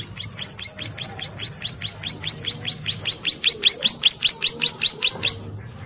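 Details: Calling for its mate, a breeding-condition female Bar-winged prinia gives an unbroken string of high, upward-flicking notes, roughly two or three per second, which grow louder toward the end before stopping abruptly.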